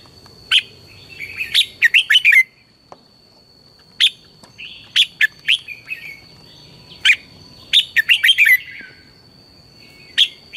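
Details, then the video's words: Red-whiskered bulbul morning singing for training, used as lure sound to excite other bulbuls: scattered sharp notes and fast warbled runs recur every few seconds across the recording, clear and loud above a quiet background with a faint constant high tone. "luyện chào mào hót sáng, Hót hay KÍCH BỔI NHANH CĂNG LỬA, Cách luyện chào mào hót căng lửa"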